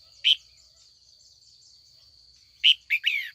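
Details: Afternoon, a female red-whiskered bulbul calls to provoke older wild-caught males into song: one bright chirp, a pause, then a quick phrase of a bright note and two descending slurred whistles, with a thin high whine throughout.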